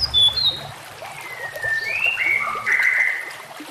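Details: Master-recording song of a white-rumped shama meant to train other shamas: a few high whistled notes, then long sliding whistles that rise and hold, with trickling water behind.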